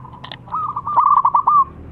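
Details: Local zebra dove in strong voice, issuing a challenge to rival birds: a brief double click, then a rolling string of rapid cooing notes ending on a smooth, sustained tone.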